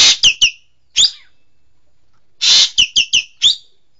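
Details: Green magpie, local name engkek keling, calling twice: each burst opens with a loud rasping screech followed by three or four short, hooked, downward-slurred notes, with a silent gap between bursts.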